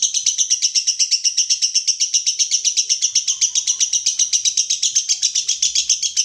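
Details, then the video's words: Lovebird delivering 'konslet' style song for training other birds: a fast, steady stream of piercing high chirps, about four per second, very regular and continuous without pause, background quiet. "Masteran Lovebird Konslet"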